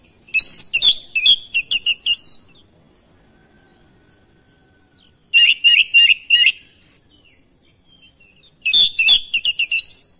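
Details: Oriental magpie-robin responding to another singer and persistently unloading its repertoire: three bursts of rapid, sharp chattering and whistled notes, each lasting about two seconds, separated by quiet gaps.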